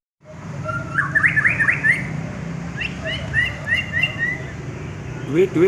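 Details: Prize-winning contest white-rumped shama giving a series of short whistled and chirping phrases, repeated in quick runs over a constant low hum and background noise.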